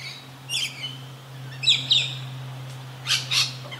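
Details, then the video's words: Rainbow lorikeet calling while feeding frantically, undisturbed by other birds or predators; thin shrill screeches and a few harsh squawks at irregular intervals over a steady low electrical hum. "Rainbow Lorikeets"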